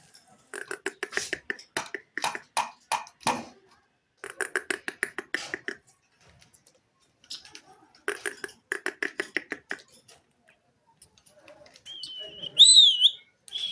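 An Indian ringneck parakeet chatters in three quick bursts of raspy, high-pitched, speech-like syllables, then ends with a shrill, wavering whistle.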